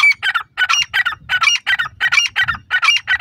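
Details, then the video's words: Loud, shrill grey francolin calling, harsh ringing notes delivered in quick rhythmic pairs and triplets about three per second, continuous throughout with a faint low rumble beneath. "teetar ki anokhi awaz,francolin bird funny sound"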